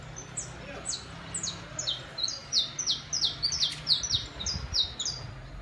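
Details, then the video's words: Saffron finch singing in the city: bright, high notes sweep downward in a quick, irregular series, with a faint low hum beneath. "canto do canário da terra/NA CIDADE"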